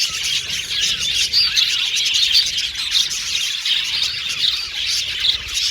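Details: Happy budgies chirping together, a lively unbroken wall of high, rapid tweets and chattering trills from many birds, with occasional sharper whistled peaks.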